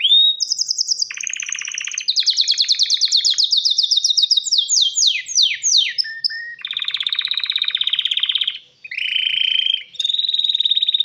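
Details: Male canary calling a female for mating, singing a varied rolling song: fast buzzy trills, a series of steep downslurred whistles, then long rattling trills broken by a brief pause.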